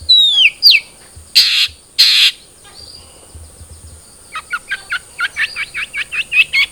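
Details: Long-tailed shrike (cendet trotol) song played to prompt a captive bird to sing: descending whistled slurs, two broad harsh bursts, then a run of short sharp chirps repeated rapidly, with a steady high whine throughout.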